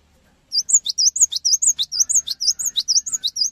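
A cinereous tit pours out a fast, unbroken run of sharp, high chips and short whistled notes, about six every second, with a softer lower twitter behind.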